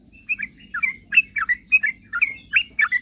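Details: Sooty-headed bulbul in lively song, meant to lure rivals into answering: a steady run of separate bubbly two-part chirps, about ten in three seconds, each rising then dropping.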